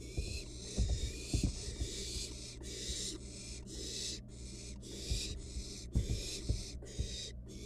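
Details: Wild barn owl nestling in a monitored nest box, playing with its dinner: harsh, breathy hisses repeated roughly every half second, with soft thumps and scuffling from the box and a steady low hum.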